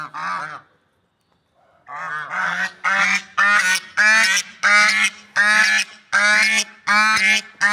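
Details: A swan gives one honk, then a brief silence, then a steady run of loud, nasal, trumpet-like honks about every half second.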